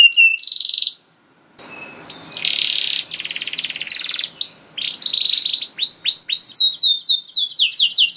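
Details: Canary pouring out long 'gacor' song meant to trigger other canaries into singing. A short high trill, a brief gap, then a buzzy rattling phrase over soft background hiss, ending in quick rising-and-falling whistled notes.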